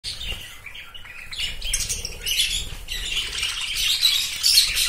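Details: Budgerigar (Melopsittacus undulatus), chatter.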